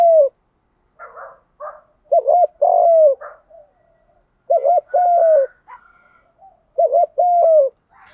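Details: Spotted dove 'Đồng'-voice coo for stimulating newly caught birds: brief scratchy notes, then three phrases of a stuttered double note and a long, low, downward coo, with faint fluttery sounds between.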